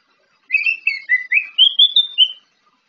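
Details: Orange-headed thrush singing in the morning, a varied run of clear whistled phrases that climbs from low to higher notes over about two seconds, with no other sounds.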